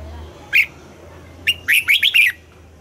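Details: Red-whiskered bulbul in morning song, trained toward a double-note style: one short whistled note, a pause, then a rapid run of bright warbled notes lasting under a second, with a faint background hum.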